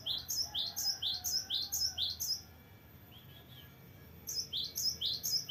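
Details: Actively singing gelatik batu (cinereous tit) with its long rolling song: a run of crisp high paired notes, a pause with a quiet lower whistle, then the repeated phrase resumes.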